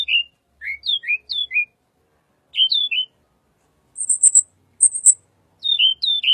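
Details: A wild tledekan sings a gentle lure song: clusters of sweet, swooping two-note whistles in short phrases, broken by two high buzzy chirps and silent gaps.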